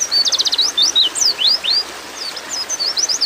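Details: High, thin calls from a female white-eye in breeding condition summoning a male. A fast buzzy trill opens, then swooping slurred chirps follow in a rapid, uneven string against a soft background hiss.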